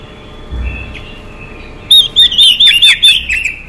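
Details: Female Chinese hwamei calling to rouse males: after a faint steady background tone and a soft note, a quick burst of about seven loud, clear, upslurred whistles, evenly spaced and rising to a bright ringing pitch.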